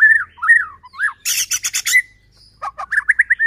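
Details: White-rumped shama lure song meant to stir other shamas: clear whistled slurs, a harsh buzzy rattle, then quick chirps and whistles.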